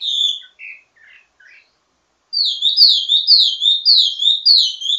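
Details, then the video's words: Wambi mini in ledekan (teasing) song, a training model for others of its kind. A whistle and a few soft notes come first, a short silence follows, then about seven loud repeated downslurred notes in a quick run. "Ledekan Wambi mini Full Gacor Banyak Vareasi"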